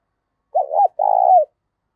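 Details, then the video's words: A single clear phrase from a spotted dove singing in the 'giọng thổ' style: a looping two-part opening note, a brief gap, then a sustained, slightly falling, throaty coo in a quiet setting. "tiếng cu gáy giọng to + rõ + ít tạp âm giọng thổ pha"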